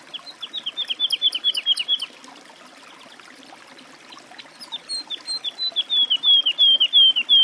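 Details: Woodlark (Lullula arborea) singing: a two-second series of about a dozen quick, slurred fluty notes, then a brief pause and a longer run of repeated liquid whistles that swells steadily louder toward the end.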